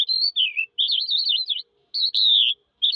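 A Eurasian skylark sings a fast, high, warbling stream of twittering notes in bursts of about a second, broken by brief pauses; nothing else is heard.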